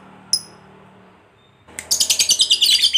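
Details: Lovebird used as a lure to rouse fighter lovebirds: one short high chip, a pause with a faint hum, then a shrill rapid chattering trill ('ngekek') begins and pulses steadily to the end.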